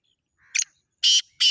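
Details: Black francolin calling: a faint, brief rising note, then a short sharp double-peaked note and two loud, harsh, rasping bursts, each about a fifth of a second, in a quiet background.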